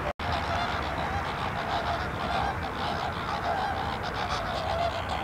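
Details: Many flamingos calling together on the Larnaca salt lake in Cyprus, a continuous overlapping chorus of honking, goose-like notes with no single bird standing out.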